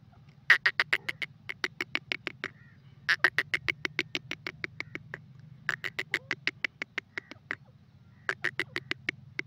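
A francolin gives harsh, clicking notes in rapid bursts of about five per second, each burst lasting two to three seconds, over a low steady hum.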